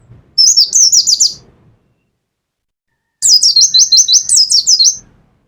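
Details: Caged mountain white-eye of the Pacitan type singing in the rapid 'nembak' style: two bursts of very high, fast, zigzagging twittered trills, each lasting over a second, separated by a short silence, with faint low background noise.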